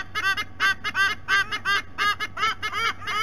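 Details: Adult White-bellied sea eagles calling at their nest in Sydney Olympic Park, Australia, captured by a nest camera: loud honking, goose-like notes with rich harmonics, given in quick clusters of two or three, about three notes a second, over a low steady hum.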